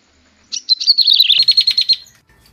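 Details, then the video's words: Bar-winged prinia giving a rapid run of high, thin chirps for about a second and a half in a quiet background; a lure call said to draw birds in close. "suara pikat dan pancingan prenjak tebu"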